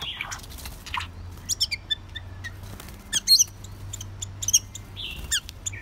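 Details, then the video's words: White-rumped shama, a long-tailed bird: scattered sharp high chips, short whistles and buzzy notes over a steady low hum, with gaps between bursts. "White Rumped Shama"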